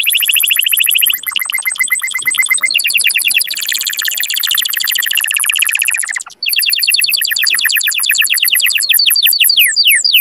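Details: Strong canary mating song meant to excite males and ready females to breed: long sweeping rapid trills in changing tours, briefly breaking off near six seconds before another fast rolling phrase.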